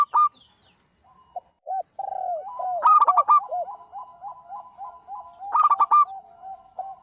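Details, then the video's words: Active local zebra dove: scattered opening notes after a pause, then continuous soft cooing with two bursts of sharp, stuttering notes about two and a half seconds apart. "Suara Burung PERKUTUT LOKAL GACOR"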